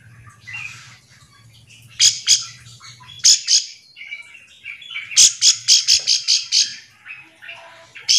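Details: Bar-winged prinia calling mates to provoke them into song; scattered loud chips, then a quick run of about eight buzzy high notes, with faint low hum early on.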